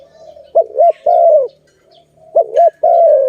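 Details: Two phrases from a zebra dove near a trap, each a wavering double-humped note followed by a longer smooth descending coo, with a soft murmur between phrases.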